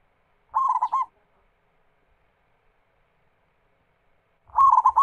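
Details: Zebra dove of a local strain singing as a lure to prompt other doves to sing: a brisk string of clipped, trilling coo notes, then a long silent gap of several seconds before another similar phrase begins.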